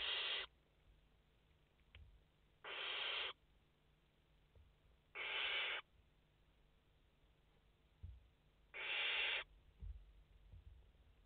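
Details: Nest of five barn owl chicks on a live camera, 29 August 2021: four short, noisy hisses, each about half a second, spaced two to three seconds apart, with faint low bumps from the nest.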